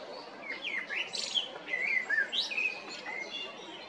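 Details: Male common blackbird singing in Zagreb, Croatia, April–May 2022: short warbled whistles and bright, squeaky high twitters in quick irregular succession, against a soft background hiss.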